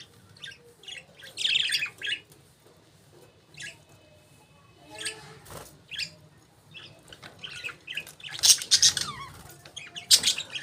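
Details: Budgerigars chattering: scattered scratchy chirps and squeaks, a soft grinding stretch in the middle, then louder harsh chirps toward the end.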